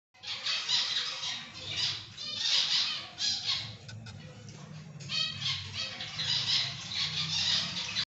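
Zebra finches give harsh, nasal, buzzy calls in rapid overlapping bursts.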